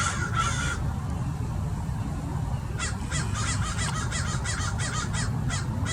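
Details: American Crows, 30 or more, mobbing a Peregrine Falcon in Mason Regional Park, Irvine, Orange County, California; two early caws, a pause, then a rapid run of about a dozen overlapping harsh caws from several birds over low rumbling noise.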